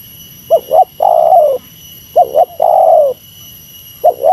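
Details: Rival-luring meratus call of a spotted dove: two full phrases of a brisk double coo then a long, slightly falling coo, with a third phrase beginning at the end. A soft steady whine sits beneath.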